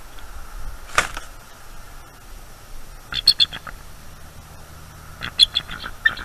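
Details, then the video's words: Eagles at their nest at night on 23 October 2021, awake and defending against an intruding owl, caught on a nest camera: three bursts of high, sharp chittering notes, the later two quick piping series, over a steady low hum. "The Eagles defend from a nightime Intruder"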